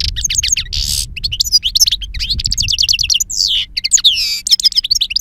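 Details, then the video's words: Wild-style song of a two-year-old European goldfinch noted for a strong timbre and long calls: dense, tinkling runs of high chirps mixed with buzzy trills and sweeping notes, almost continuous, with a faint low hum. "Jilguero Reclamo Canto Silvestre Puro"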